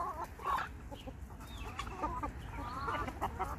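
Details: Flock of chickens in a garden, eating feed just scattered on the ground: soft overlapping clucks and short murmuring notes from several birds, with a steady low rumble of background noise.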